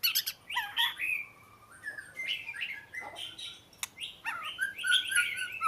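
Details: Song of an Oriental magpie-robin, quieter phrases of slurred whistles and scratchy chirps with a faint hiss behind, ending in a richer warbled run.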